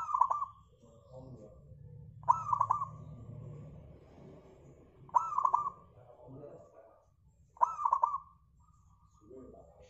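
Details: Local zebra dove song meant as a lure to get other birds singing, four clear rolling cooed phrases roughly every 2.5 seconds, each starting with a sharp note, with soft low murmuring between.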